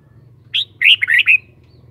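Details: A kept red-whiskered bulbul gives a single short song: a sharp opening chirp, then three or four rolling, warbled notes that slur downward. A low steady hum sits underneath.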